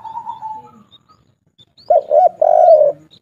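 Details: Spotted dove coo in the local kuk 3 style, sung loudly. A faint flat coo fades out, then after a pause come two rounded coos and a long drawn coo. Faint high chirps are heard in the background.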